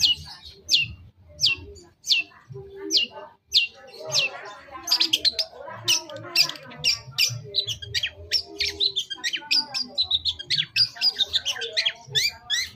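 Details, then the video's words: Long-tailed shrike lure song to draw an answer: sharp ticking notes spaced under a second apart, building into a fast, varied outpouring of chirps, trills and clicks. "Masteran CENDET Kicau Pancingan cukup 1 Menit Auto Nyaut!!!"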